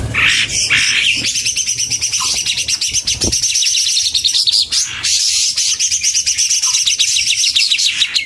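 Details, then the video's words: Several leafbirds in chorus, males and females of various types: dense overlapping high chirps and rapid trills run almost nonstop, with short whistled phrases and a few sharp notes breaking through. "CAK IJO dalam paduan suara"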